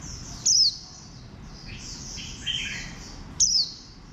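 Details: Two piercing, downward-sliding chirps about three seconds apart come from a warbling white-eye with a bantam-like build. Quieter high twittering and a brief warbled phrase sound between them.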